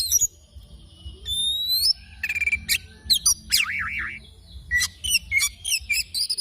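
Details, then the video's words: Morning song of an oriental magpie-robin, rich and varied: a long rising whistle, rapid chattering notes and a wavering, warbled trill, followed by quick bright chirps in close succession. "Kicauan Kacer Dipagi Hari"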